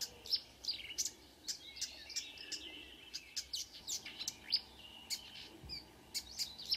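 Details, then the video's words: Marsh warbler in June near Ski, Norway, 5 a.m.: quick repeated sharp high chips mixed with buzzy warbles, a lively, varied imitative run of notes. "The song of a *Acrocephalus palustris* Myrsanger / Marsh Warbler"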